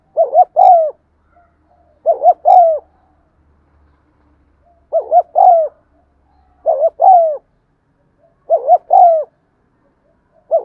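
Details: Spotted dove coo, played to encourage silent caged birds to start cooing: a steady series of low coo phrases, each a short doubled note and then a drawn-out descending coo, about thirty phrases a minute, with no other sounds.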